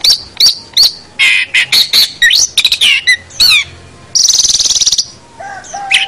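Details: Long-tailed shrike song used as master material for teaching other birds: a fast, varied run of sharp chips, rising whistles and squeaky notes, then a long buzzy rattle and a few lower whistled notes at the end.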